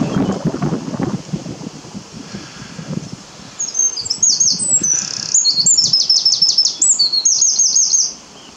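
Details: On a windy morning, wind gusts rumble at the start, then a Eurasian wren bursts into loud song: a very high, rapid run of sharp notes and trills lasting about four seconds.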